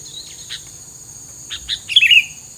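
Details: Bird filler song, with scattered soft chirps that build into a brief, loud, twisting whistled flourish at the end, over a steady shrill background tone.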